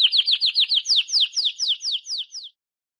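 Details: Canary song: a steady trill of about twenty rapid downward-sliding notes, first fast and tight, then slower and more spaced, before stopping abruptly.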